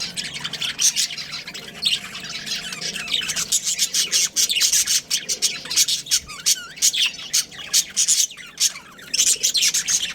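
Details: Budgerigar breeding pair kept at home, chattering continuously with rapid, scratchy high chirps and warbled twitters, dense bursts running through the whole stretch.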